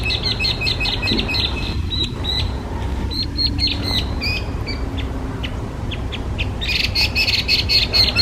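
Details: Hwamei, an invasive alien bird under Japanese law, sings a rapid series of high chirps that thin out midway, then returns with a louder, dense burst of bright notes near the end, over low hum.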